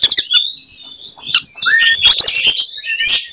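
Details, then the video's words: Oriental magpie-robin singing to provoke other birds into fighting; sustained high whistles, a lower drawn-out whistled note, and bursts of sharp chattering, with softer passages between. "kacer gacor tarung bongkar materi tembakan khas bikin kacer lain NGAMUK dan EMOSI"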